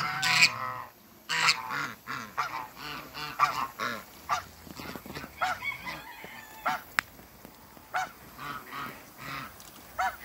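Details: A pair of African geese calling in a backyard among other waterbirds: loud, harsh, nasal honks with strong harmonics, given in irregular bursts roughly once a second, some overlapping, over a faint steady background hum.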